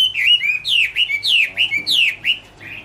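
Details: Chinese hwamei song from 2017, a loud rapid series of about six downslurred whistles in under three seconds, each note sweeping downward and then levelling off, given clearly against a quiet background.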